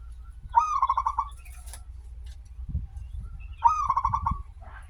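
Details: Active local zebra dove song with a long opening, meant as a lure to set other doves singing; two quick pulsed, trilled coo phrases roughly three seconds apart, soft thuds and low rumble behind.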